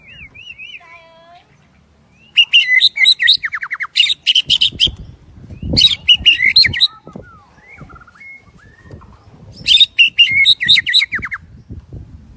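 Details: White-rumped shama of the 'shrimp-tail' form from Đắk Lắk, singing in the windy season: bursts of loud, rapid, harsh and buzzy notes mixed with brief whistles, two main phrases separated by quieter gaps with low rumbling in between.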